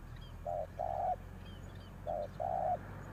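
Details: Spotted dove used as a decoy, giving two soft coo pairs, a short note then a longer purring one, separated by a pause, with faint high chirps from other birds and low hum.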